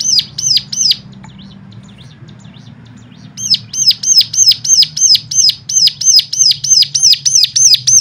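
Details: Bird song played to stimulate other birds to sing: loud, high downslurred whistled notes repeated about three times a second, a short burst then a pause of over two seconds, then a long steady series, with a low hum beneath.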